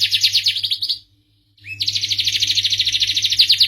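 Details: Canary of the starblue type giving a short rapid trill, pausing half a second, then launching a brighter, faster rolling trill of repeated notes; steady faint hum underneath.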